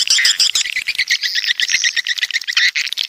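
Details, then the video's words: Coastal swiftlets from the south chattering; a run of short, evenly spaced chip notes repeats rapidly through the middle, set against a higher buzzing twitter and clicks. "Suara Walet Pantai Dari Selatan"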